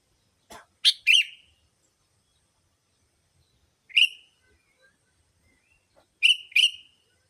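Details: Sooty-headed bulbul calls used as a lure to attract bulbuls: a faint tick, then a quick pair of sharp, bright chirps, and after a pause two more at about four and six seconds, each a short bubbly note.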